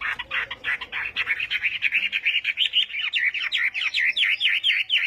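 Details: Chinese hwamei practising contest song in the morning, pouring out a rapid, dense chatter of buzzy notes that becomes a string of quick V-shaped whistles.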